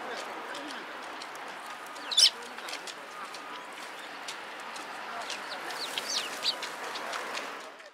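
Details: Flock of sparrows gathered at food by a Tenmangu shrine, 26 March 2017: one loud, high chirp early on, then many faint, rapid twitters scattered through a constant background hiss.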